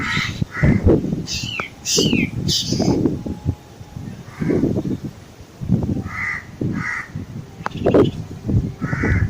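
Black drongo giving harsh, rasping calls about once a second, with a few quick rising-and-falling whistled notes early on, over a low background rumble.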